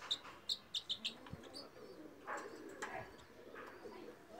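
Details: Red Crossbill (Loxia curvirostra), a finch of coniferous forests, gives a quick run of five sharp, high chip notes, then scattered harsher, buzzy phrases, over a soft background hiss.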